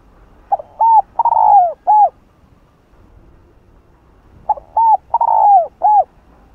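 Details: Spotted dove, cu đất, singing a hạp bổi phrase meant to excite male birds: two four-note coo phrases about four seconds apart, each with a long drawn-out falling note between short hollow ones.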